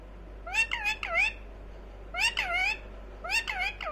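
A rose-ringed parakeet speaks in three quick bursts of high, nasal, word-like syllables that rise and fall, about a second apart, with faint room hum behind.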